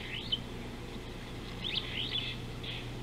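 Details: Superb starling on a live camera at an African river, 19 July 2018: a few clear arched whistles that rise and fall, spaced over three seconds, above a steady low hum.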